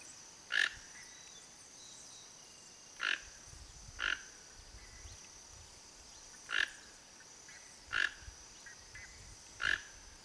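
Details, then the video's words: A wild, free Toco toucan gives six short, harsh croaking notes at uneven intervals of one to three seconds, over a steady high insect hum. "TOCO-TOUCAN singing"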